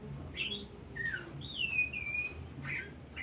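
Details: Oriental magpie-robin song used as a lure to get other birds singing: separate whistled phrases, one long sweeping note gliding down and leveling off, then short slurred notes, over a low hum.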